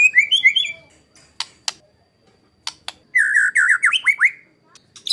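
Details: Master song of a white-rumped shama for training contest birds, rough 'tembakan kasar' style: wavering mid-pitched warbles, scattered sharp clicks, then a burst of slurred descending whistled notes and a high final note.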